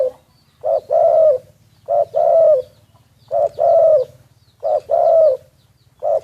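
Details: Spotted dove kept as a decoy bird, secretly recorded, cooing in a steady series about every 1.3 seconds, each a short coo followed by a longer drawn-out one, over a faint low hum.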